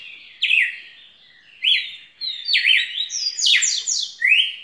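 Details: Spirited red-cowled cardinal song: whistled phrases that slide down and up, building into a dense overlapping burst near the end before a final rising whistle.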